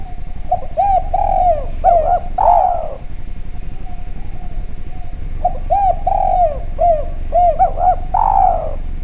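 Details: Javan spotted dove calling steadily in a clear voice, recorded as a lure sound to prompt other doves to call. Two bursts of mellow, arched coos descend in pitch and end in a longer, throaty note, over a faint steady hum.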